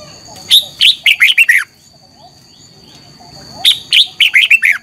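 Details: Red-whiskered bulbul morning competition song, a lure recording meant to push other birds to sing. Two bright, bubbly whistled phrases of about six quick notes, each stepping downward, separated by a short pause, over a steady high electronic tone.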